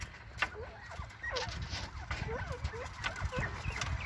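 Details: Several bobwhite quail chatting: a string of soft, curved, upslurred and looping notes repeated quickly, over constant hiss and low rumble.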